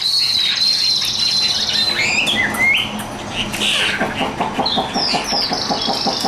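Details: Young hand-carried caged Chinese hwamei, recently arrived, in song: a high sustained trill, then swooping whistled notes and scattered chirps, with rapid ticking bursts toward the end over steady background noise.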